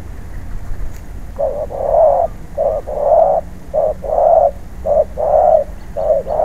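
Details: Spotted dove, a wild-caught bird in decoy training, cooing loudly in a repeated phrase that alternates short notes with longer, rolling coos, roughly one note per second, over faint low background hum.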